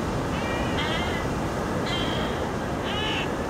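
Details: Three quavering, cat-like mews from Inca tern, Cañete, Lima, Peru, dated 09-10-15, spaced roughly a second apart over a continuous rumble of breaking waves.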